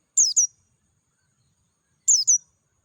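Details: Oriental white-eye of the Dakun type singing in ngalas style, clear-voiced, in natural surroundings: two short high, thin, descending twittering notes, then a second identical pair nearly two seconds later.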